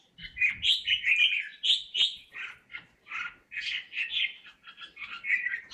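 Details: Red-whiskered bulbul kept in a cage sings a bright, bubbling string of short whistled and chirped notes, rising and dipping in quick succession with only slight pauses.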